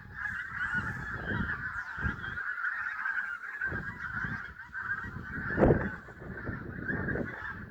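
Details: Geese in a flock at sunrise, Prestatyn: a steady mass of overlapping honks forming an unbroken nasal din, with a louder close honk near the sixth second and low background rumble.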